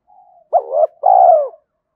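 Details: Spotted dove decoy luring wild doves to fight: a soft murmur, then a wavering double note and a long burry coo that fades downward.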